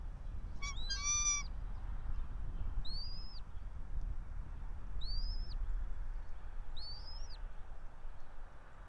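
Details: Bald eagle from a resident pair nesting atop a pine about 90 feet high in Johnson City, Tennessee, early morning 04.03.2024; a short harsh squeal followed by three thin arched whistled chirps spaced about two seconds apart, faint background rumble.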